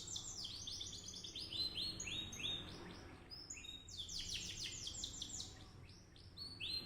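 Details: Birds singing in fast runs of high, sharply descending chirps, trill after trill repeated in quick bursts over a faint low background hum.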